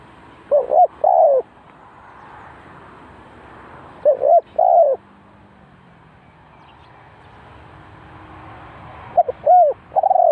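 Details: Spotted dove used as a decoy at a bird trap in Ninh Thuận, Vietnam, cooing three times about every four seconds. Each phrase has two or three hollow, arched coo notes against a steady hissing background.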